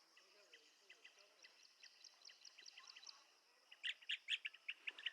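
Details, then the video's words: Blue-tailed bee-eater giving soft, spaced chirps that swell near the end into a burst of loud, sharp notes in quick succession over a faint background hiss. "Tiếng chim Trảu đuôi xanh - Blue tailed Bee eater"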